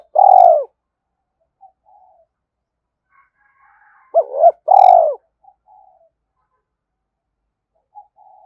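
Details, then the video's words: A sweet-voiced spotted dove calling with two endings: loud, rich coos at the start, then a paired burst of hooked coos midway, separated by soft faint notes and silence. "cu gay thúc bổi nhanh về cội nhất, gáy gọi hai hậu giọng hay"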